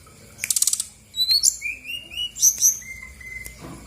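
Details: Lure song of a female brown-chested jungle flycatcher from Bali, meant to trigger a response from reluctant singers. A quick buzzy rattle opens, followed by thin sliding whistles and drawn-out level notes.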